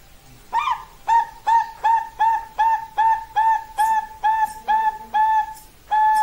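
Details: Zebra dove cooing: a long run of short, clipped mid-pitched notes with bright overtones, evenly repeated about every 0.4 seconds, starting with a higher rising note and ending after a brief pause with one more longer note.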